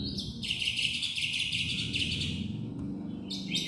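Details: Black-winged myna, a protected bird, in full song: a harsh, buzzy, tightly packed chatter running for about two and a half seconds, a short pause, then the same rasping notes starting again.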